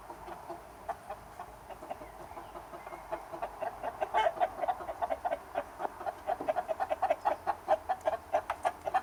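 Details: Chickens and roosters on a summer day, clucking steadily and growing busier and louder, with rapid overlapping pecking-like clucks filling the second half.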